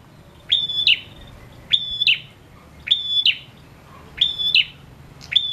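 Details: A spirited male prinia sings five clipped phrases at regular intervals, each click, level whistle and raspy snap, over a faint hum. Used to stimulate prinias that sing little.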